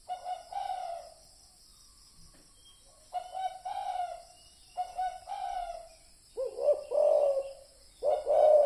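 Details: Lure recording of a spotted dove: spaced, throaty cooing phrases after a quiet pause, ending in louder, fuller two-part coos with a short lead-in note.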